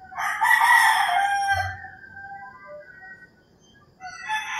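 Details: Early-morning rooster in rural Philippines giving a loud, ragged crow lasting about two seconds and tailing off, faint bird calls after, and another crow starting at the end.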